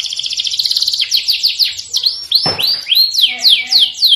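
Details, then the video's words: Canaries singing, played to stimulate other birds into song: quick rolling trill of high chirps giving way to slower, louder downward-sweeping whistled notes repeated about twice a second, with a faint low click. "O chilrear dos canários"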